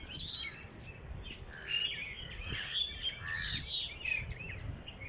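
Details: Early-morning birds in Jilani Park, Lahore: bright, varied song phrases of sweeping whistles and quick trills in several bursts, set against softer chirping from other birds.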